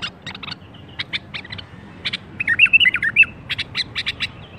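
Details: Bulbul birwaz, intended to get other bulbuls singing: rapid sharp high chirps in quick series surround one short rolling whistled phrase in the middle, over a steady low hum.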